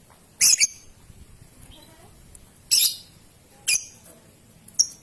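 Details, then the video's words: Young lovebird lure meant to spark long ngekek chatter: four strident, buzzy high chirps, the first doubled, spread roughly a second apart, with a soft faint whistle between them. "MEMANCING LOVEBIRD PAUD, PASTI BAKAL BUNYI NGEKEK NGETIK PANJANG"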